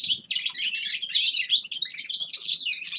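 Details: Dense, fast twittering of a grey-crowned goldfinch, with overlapping chirps, buzzy slurs and jingling notes in a steady, unbroken run.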